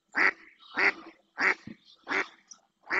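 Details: Insistent calling by a female mallard on the Doñana marsh in Spain: loud, nasal quacks evenly spaced about two-thirds of a second apart, five in three seconds, with a quieter grunt between.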